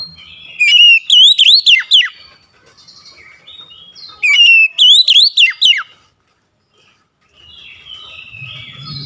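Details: Oriental magpie-robin giving its active song to make others reply quickly: the same loud whistled phrase of rising and falling notes is given twice, a few seconds apart. Faint soft warbling follows.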